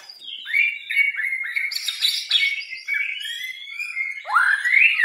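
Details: White-rumped shama of the Medan type singing a continuous, varied run of clear whistled notes, sliding and overlapping phrases with some raspy bursts, ending in a loud rising and falling whistle; no other sounds.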